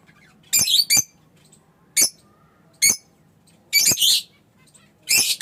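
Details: Fischer's lovebird chirping: scattered harsh, high squawks and short chattering bursts, separated by brief silences.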